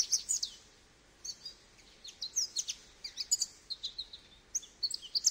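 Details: Goldfinch singing a lively string of high, liquid twittering notes, starting with a burst, pausing about a second, then a long continuous run of chirps and trills.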